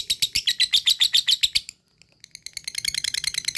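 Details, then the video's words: Lovebird in a ngekek trill meant to make other lovebirds excited: a burst of rapid loud chattering notes, a short gap, then a faster and softer rattle. "lovebird cepat naik EMOSI dan langsung jadi ngekek panjang"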